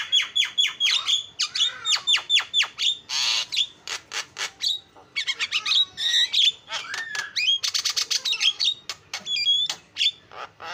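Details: Starling lure song for stimulating other starlings: fast series of downslurred whistles and sharp clicks, harsh broadband squawks and bright whistled trills, nearly continuous chatter.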